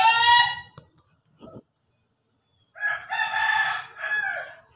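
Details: A crowing Ayam Ketawa, or laughing chicken: a strong harmonic note fades out, a faint short call follows, then after a silence comes a longer wavering, stuttered crow phrase.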